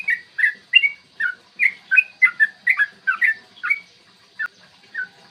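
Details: Morning recording of a yellow-vented bulbul singing its long, fast fighting song, used as a lure for other bulbuls: clear, gurgling whistled phrases of two or three notes, repeated about twice a second before slowing near the end.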